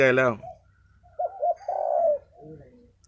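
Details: Captive Spotted Dove, described as the flock leader, placed in a trap enclosure during decoy training; cooing there shows it is ready to start training. A man speaks, then two short low coos and a longer drawn-out coo follow.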